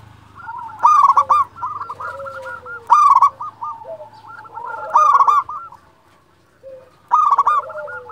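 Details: A lure recording of a local champion zebra dove calling. Four loud, rough cooing bursts sound about two seconds apart, with chains of softer coos and low gliding notes between, and a faint low hum.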